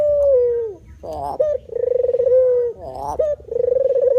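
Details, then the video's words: Deep, vibrating coos of a white-form spotted dove, a falling note followed by long purring phrases and quick upslurred notes, steady and close-up with a quiet background. "suwara burung terkukur putih"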